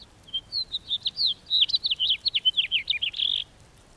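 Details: House finch song, a rapid varied warble of about twenty short notes lasting some three seconds, mixing quick slurred whistles and buzzier chirps, with a drawn-out burry note at the end; quiet background.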